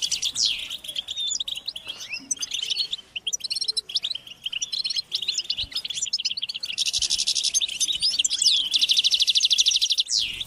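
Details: European goldfinches in a group chorus of chattering and singing, described as mating calls that push males to sing; quick liquid twitters, sweeping notes, then a long rapid buzzy rattle from about seven seconds.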